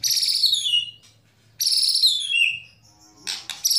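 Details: White-rumped shama lure song meant to get other shamas singing: two loud, rich phrases, each sliding downward from high bright notes, separated by a pause, then a burst of harsh notes.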